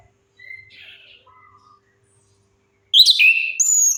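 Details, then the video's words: Chestnut-capped thrush song used as a lure to prompt silent birds to sing: soft whistled and warbled phrases, then a loud, rich burst of varied notes sliding between high and mid pitch near the end. "Suara pancingan AMPUH 100% untuk Anis Kembang Macet Bunyi"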